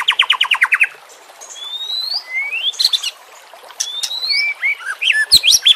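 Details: White-rumped shama song from a training recording set with nature sounds and trickling water: a fast, rhythmic run of sharp notes, then long rising whistles and varied, jumpy phrases separated by brief pauses.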